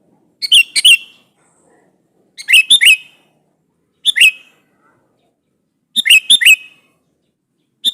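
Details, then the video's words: Sooty-headed bulbul singing hard to summon a rival and draw a reply; five brief phrases of three or four chirpy, slurred whistles, repeated roughly every one and a half to two seconds in an otherwise silent background. "SUARA BURUNG KUTILANG GACOR MEMANGGIL LAWAN"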